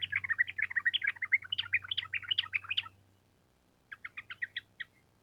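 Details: Sooty-headed bulbul in vigorous song, recorded as a tutor to make trainee birds reply. A rapid run of varied, chattering chirps lasts nearly three seconds, followed by a pause and a shorter series of evenly spaced notes. A low hum underlies it.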